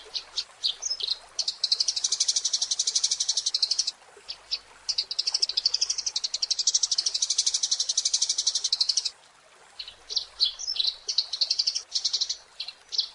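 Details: Rapid chattering of Eurasian tree sparrow, long bursts of bright high chirps packed tightly together, with two brief pauses; recorded as a master track for teaching songbirds.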